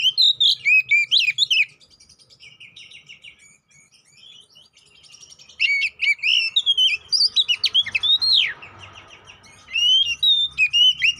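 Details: Oriental magpie-robin, a kacer poci, giving a provoking lure song for fighting: fast bursts of whistles and rising slurs, a long low quiet gap, then another rapid run of loud varied notes.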